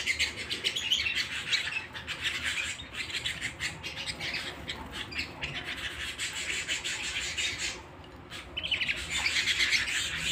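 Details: ['At home, a canary delivers long rolling trills and quick chirps, broken by a short quieter gap near eight seconds before the bright trilling resumes.']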